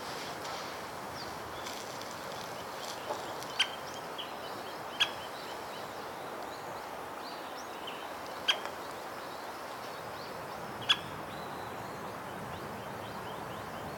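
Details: White-backed woodpecker, Hokkaido subspecies, giving its contact calls, recorded in Hokkaido with a Nikon COOLPIX P950: single sharp, short 'kyo' notes at irregular intervals, about five in fourteen seconds, over steady background hiss.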